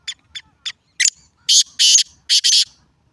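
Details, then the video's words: Black francolin call opening with three quick dry ticks and a sharper note, then three loud, rasping, broad buzzy bursts, the final pair nearly joined, against silence. "کالا تیتر کی آواز"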